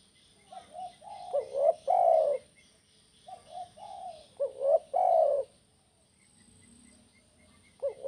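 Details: Spotted dove giving its kuk 1 style call: two phrases, each a few soft rising coos ending in a long, loud, sustained mellow coo. Faint high chirps in the background.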